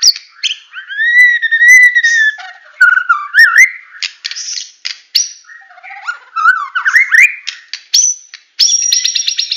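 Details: Medan-type murai batu in full tembakan style: a long steady arched whistle, then varied twisting notes, harsh buzzes, rapid rising slurs, and a final rattling buzzy trill.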